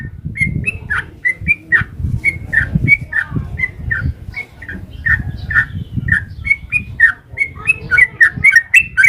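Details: Sooty-headed bulbul in long rapid 'ropel' style song used as a lure: quick chains of short whistled notes, rising and falling, about two per second, with a low rumbling background noise throughout.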